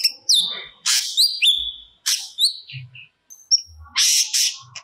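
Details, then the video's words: Cucak cungkok singing a varied medley: sliding whistled notes, harsh raspy bursts and short chirps, broken by brief pauses. "Burung Cucak Cungkok Gacor Muntahkan Materi Yang Di Simpan"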